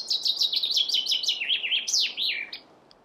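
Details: Chaffinch song: a rapid descending series of bright, sweet notes in two or three phrases, sliding lower in pitch, then ending in a louder rising-and-falling flourish, the whole strophe lasting about two and a half seconds.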